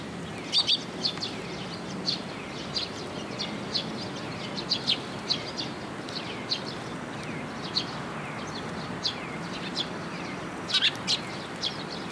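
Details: Eurasian tree sparrow young come to a post for food at a Tenmangu shrine on 1 June 2022. A long run of high chirps includes louder bursts at the start and near the end.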